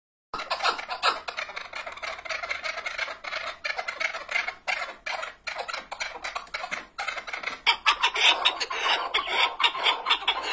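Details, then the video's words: Chukar partridge calling in a dense, continuous run of harsh clucking notes, sharp bursts packed closely with short breaks, several voices overlapping and growing busier toward the end. "keklik sesi"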